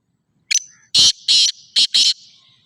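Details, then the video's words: Black francolin, Sindhi black partridge: a short sharp opening note, then four loud, harsh, grating bursts in a quick rhythmic phrase, with clean quiet between. "black teetar voice سندھی کالے تیتر کی مکس اوازیں"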